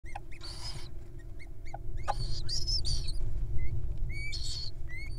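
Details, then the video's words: Wild owls at feeding time, eagerly showing their appetites: harsh broadband raspy hisses in bursts of about half a second, repeated several times, with thin whistled notes from other small birds scattered between them. "Feeding Time Fun: Great Little Owls Showing off their Appetites"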